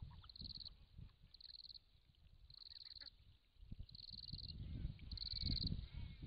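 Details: Australian wood ducks, a male and female with ten ducklings on a farm dam in early December 2016, give thin, high, drawn-out notes about once a second over a low rumble of wind.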